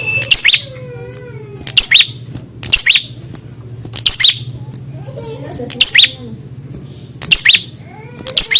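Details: Prinia answering a rival during a fighter mental test: loud, sharp, buzzy chip notes repeated roughly every second over a soft low hum.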